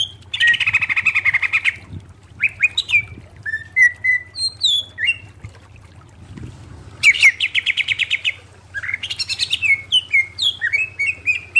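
A bright, varied leafbird song: rapid chattering bursts alternating with clear whistled and slurred notes, with a steady low hum underneath.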